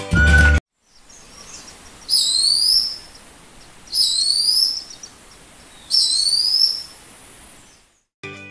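Crested Goshawk giving three high, shrill upslurred screams about two seconds apart, each with a sharp rising whistle; brief music bursts at the start and end.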